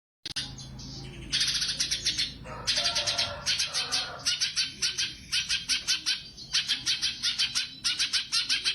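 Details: Sumatran leafbird, a competition bird, in full lively song with special rapid-fire 'tembakan' bursts: dense, high, chattering trills and sharp repeated notes in fast pulses, pausing briefly between phrases, with a low hum underneath.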